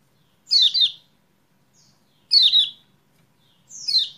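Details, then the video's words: Strong, clear doubled chirps from a kecial kuning, three bursts each sweeping downward, used as a lure to trigger song in a bird that has gone quiet. "PANCINGAN CEPAT GACOR UNTUK KECIAL KUNING MACET"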